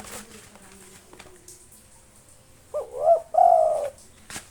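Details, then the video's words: Local spotted dove singing to draw out rival birds. Faint low murmurs and a few soft ticks come first, then one loud phrase: a short note, a bent rising coo and a long, even, husky final coo. "SUARA BURUNG TEKUKUR LOKAL NAFAS PANJANG GACOR NONSTOP MANGGUNG 7 MENIT COCOK UNTUK MANGGIL LAWAN"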